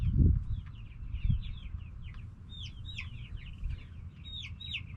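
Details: Hens and roosters in a backyard flock, noisy; two low thumps open the clip, then a string of quick high falling chirps builds in the second half, many voices overlapping above a dull background rumble.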